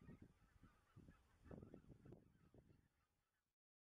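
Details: Greater white-fronted geese in the Dannenberger Marsch on a moonlit spring night, 25 March 2013; repeated honking and yelping from a flock, about two calls per second, fading toward silence at the end.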